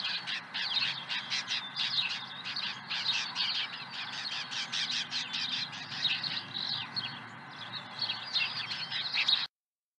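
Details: Osprey on the nest with an early fish, Dunrovin Ranch, morning of 30 April 2020: dense, rapid chirping notes in a nearly continuous stream, briefly louder toward the end before cutting off.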